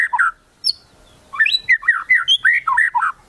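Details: White-rumped shama singing its kretekan-style song, meant to provoke rivals into singing: a short whistled burst, a pause, then a rapid run of rich, looping whistled notes that rise and fall in quick succession.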